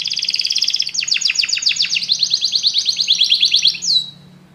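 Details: A group of canaries singing together after hearing music, delivering a chain of rapid pulsed trills, each tour a slightly different speed and pitch, ending in a single swooping note and fading out; faint background hum.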